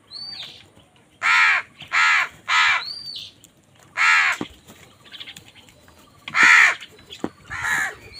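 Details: Crows fighting for food: loud harsh caws in a run of three, then single caws spaced by pauses, mixed with thin rising whistle-like notes.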